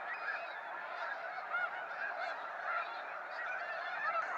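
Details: A more distant, softer chorus of snow geese during a sunset fly-out at Sacramento National Wildlife Refuge, steady murmuring honks with a few clearer calls every second or so.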